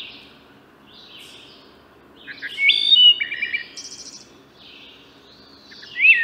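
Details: Wood thrush, Hylocichla mustelina, singing: soft low notes, then a clear fluting phrase rising near two seconds in, followed by stacked trills and buzzy high flourishes, another rising whistled phrase closing the clip; quiet background otherwise.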